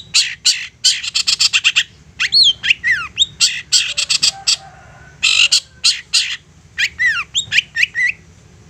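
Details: Insistent long-tailed shrike song aimed at making other shrikes sing back: fast rattling chatter, harsh bursts and curling downslurred whistles alternate in quick, uneven phrases.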